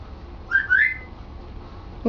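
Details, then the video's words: Male pet African grey parrot that mimics words and sentences: two brief rising whistles, the second longer and sliding upward, followed by the start of a human voice. "African Grey Sambuka trying to talk and succeeding!"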